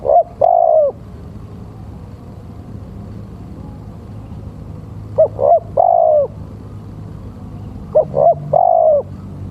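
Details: Male spotted dove lure call: one coo phrase, a pause of several seconds, then two more phrases close together, each made of two short notes and a long mellow falling note.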